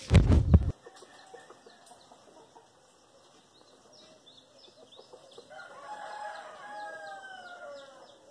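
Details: A red rooster searching out a nest site for a hen that recently left her chick, perched atop the nest box, gives low, drawn-out, harmonic murmuring nest calls after a loud thump; faint small birds chirp behind.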